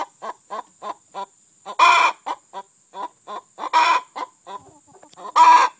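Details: Hen singing her egg song to announce she has just laid an egg: a run of short clucks about three per second, broken by three loud, harsh, drawn-out squawks near the second, fourth and fifth-and-a-half marks.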